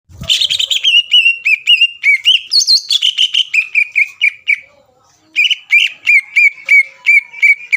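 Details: Greater green leafbird song used to provoke rival leafbirds and keep a contest bird's temper steady; rapid series of bright whistled notes, about three per second, pauses briefly, then resumes the same repeated phrase.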